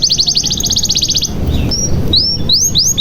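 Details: Lure song of a canary meant to prompt quiet young canaries to sing: a quick trill of evenly repeated high notes, then a few spaced, clear rising whistles.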